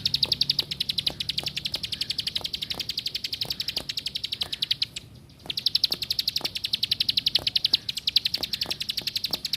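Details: Plain prinia repeating shrill, clipped high notes at a quick even pace, a brief pause midway before the series resumes, with faint low knocks throughout.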